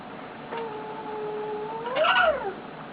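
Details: Pet male eclectus parrot lying on its owner, making soft contented noises: a long, steady, low whistle held for over a second, then a brighter note that rises and falls, in a quiet indoor setting.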